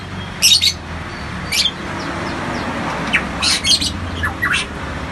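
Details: A variable (hooded) pitohui, a bird endemic to Papua, gives harsh, raspy bursts of sound with a few short downslurred notes between them, spaced irregularly over several seconds, over a low hum.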